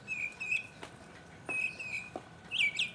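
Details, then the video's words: Solo mockingbird song, 2015. A clear whistled phrase repeats twice, pauses and returns, then ends in a sharp, high slurred twitter. "mockingbird Solo 2015"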